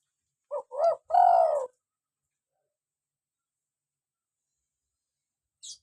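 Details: One full coo phrase from a local spotted dove, played to lure doves and stimulate captive birds. Two short soft hoots lead into a long drawn, gently falling coo, followed by long silence and a faint high tick near the end.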